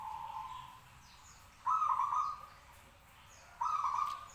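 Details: Caged local zebra dove in full song, hung up high to make other doves reply; a soft hum gives way to two loud, rolling, purring coo phrases about two seconds apart, faint small-bird chirps in the background.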